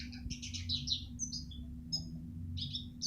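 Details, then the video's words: Eurasian siskin song for training other birds: a short twittering burst, then separate whistled and buzzy notes spaced out before another chirping phrase, over a low hum. "masteran burung retsiskin"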